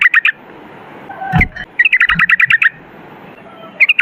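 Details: A sooty-headed bulbul sings short groups of quick, bright chirps broken by a couple of dull knocking sounds, then a rapid run of a dozen bouncy notes and a final brief phrase.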